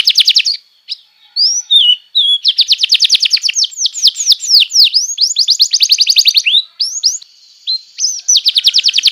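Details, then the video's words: Canary tutor song for training young canaries: fast, rattling trills of rapidly repeated high notes, grouped into rolling tours that shift from one rhythm to another, plus a few slurred whistles. "masteran burung kenari paud"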